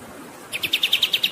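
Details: Pied triller in a long rolling song used to train songbirds: after brief quiet, quick sharp chirps start and repeat evenly about eight per second over faint background hiss.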